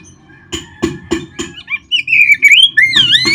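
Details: Oriental magpie-robin song meant to prompt caged birds to sing: four evenly spaced dry clicks, then a flowing, swooping whistled phrase that rises and falls.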